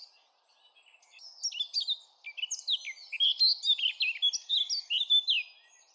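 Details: Blackcap in song: quiet opening notes swelling into a loud, quick run of clear, varied whistles and warbles, each note sliding up or down in pitch.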